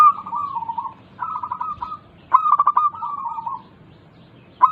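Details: Zebra dove, local perkutut, used to coax reluctant caged doves into song. Soft mid-pitched trilled coos alternate with louder stuttering openings followed by a sustained wavering coo, in phrases roughly two seconds apart.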